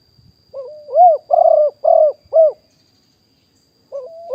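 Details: Cooing of a wild spotted dove kept as a caller for luring birds, recorded live in 2021. A short introductory note leads into four hollow coos, a pause follows, and a new phrase begins.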